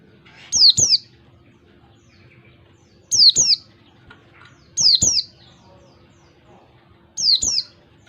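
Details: Oriental white-eye in the wild, singing the "ngalas" beat song used to lure other white-eyes: four bursts of paired high, sliding-down whistles at uneven gaps of about one and a half to two and a half seconds, with soft background hum.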